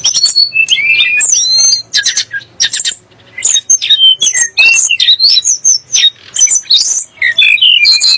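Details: Song of the Sunda blue robin (tledek gunung), played to agitate rival kacer and muri songbirds. Harsh scratchy bursts open, then a brief pause, then fast twisting high whistles in a busy stream.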